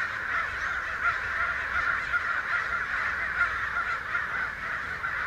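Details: American crows, a large flock of perhaps a hundred, loudly excited about something in Santa Rosa on May 29, 2013, mostly out of sight; a dense, continuous chorus of harsh overlapping caws with no break.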